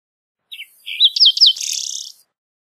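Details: A green-tailed towhee sings: a few short chips, three sharp slurred whistles, then a long rough buzzy trill, all high-pitched against a silent background.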